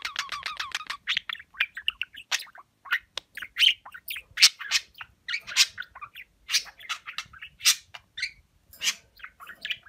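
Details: Talking pet budgerigar that says Turkish words like aşkım and cici kuş: a rapid stuttering series of notes, then a long stream of scratchy, chirpy speech-like syllables and clicks.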